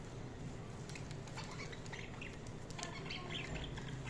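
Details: Budgies chirping: scattered short, bright chirps and brief squawks come in quick irregular bursts, with wing flapping over a steady low hum.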